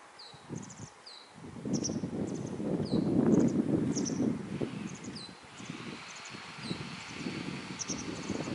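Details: Fledgling masked wagtails, out of the nest, screech to demand food as a parent brings insects. Rapid high thin chirps and short downslurred squeaks repeat through the clip over heavy rustling and wind.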